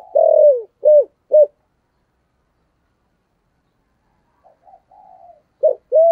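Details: Spotted dove singing in 'thổ sấm' style, used to coax newly caught birds into calling: a long falling coo with two short hoots, a quiet pause, then soft murmurs leading into a fresh pair of loud deep coos.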